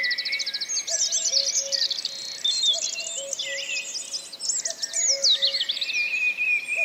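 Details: A Common Cuckoo in Wales, April 2004, calls a low two-note cu-coo four times, roughly every one and a half seconds, beneath loud rapid trills and sweet warbling from several small songbirds.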